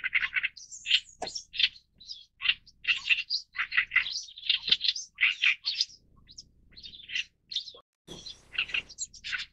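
An Oriental reed warbler gives loud, harsh, grating notes in quick chattering runs, mixing croaky chacks with higher squeaky bits, with brief pauses throughout.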